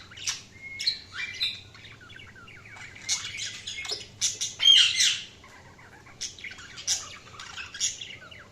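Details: Budgerigars chirping in a lively, overlapping chatter of short squawky chirps and warbled notes, bursts coming several times a second with brief pauses, with a faint low hum underneath.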